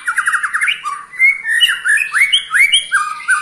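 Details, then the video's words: An 8-month-old white-rumped shama delivers ketrekan, a call said to provoke other shamas: a quick buzzy rattle opens, then loud, rapidly alternating rising and falling whistles and chattering notes follow without pause. "KETREKAN Pastol 8 bulan Bikin EMOSI murai Lain"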